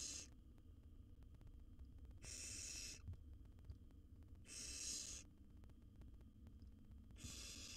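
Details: Wild barn owl nestling inside a nest box, swallowing a rat fast; rasping hiss bursts recur roughly every two to three seconds, each under a second long, above constant low rumble.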